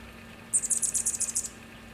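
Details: Male Anna's hummingbird in Santa Cruz, California, singing after threatening another male flying by: a one-second run of about ten thin, squeaky, high-pitched notes in quick succession against a quiet background with a faint low hum.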